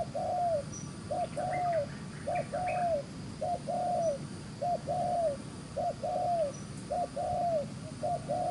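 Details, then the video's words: Wild-caught spotted dove cooing briskly in the rapid 'gù xiết' style: a short note followed by a longer falling coo, with phrases repeated about every second. A steady low hum runs underneath. "Bổi Đồng Chơi khá lẹ miệng, Gù xiết ( quy cườm đẹp)"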